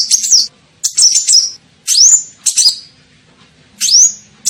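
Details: Sunbird (kolibri ninja) lure call for attracting birds: short, high chirpy bursts, several of them ending in a clear upslurred whistle that levels off, spaced roughly a second apart.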